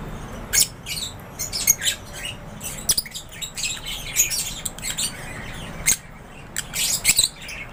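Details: Lovebirds in an aviary chirping as a group: sharp, high squeaky chirps and short squawks come in scattered bursts, with quieter gaps between, over a low steady background hum.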